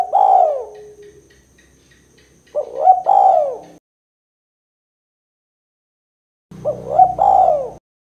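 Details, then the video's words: Three repeated 'kuk 2' coo phrases from a spotted dove, a call used to lure and prompt birds. Each is a husky rising note and a longer falling coo, separated by pauses. A soft low rumble accompanies the last phrase. "Suara Burung Tekukur Kuk 2 Paling Gacor Terbukti Ampuh Untuk Pikat & Pancingan"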